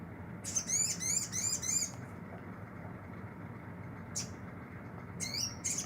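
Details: Olive-backed sunbird kept in care and starting to sing actively, used as a lure for other birds: a quick run of thin, high, slurred chirps, then isolated sharp high notes, over steady low rumbling background noise.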